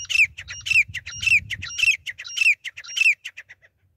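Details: Grey francolin, female call used to lure birds for hunting; loud, harsh squawking phrases with rising and falling notes, repeated about every half second, fading into shorter clipped notes, low rumble underneath.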